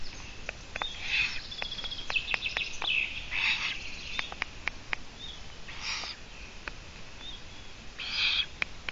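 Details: Eurasian eagle-owl on a live webcam in Latvia, 17 June 2017 around midday: breathy, hissing bursts repeated at uneven intervals of two to three seconds, with thin whistled songbird notes and sharp clicks between them.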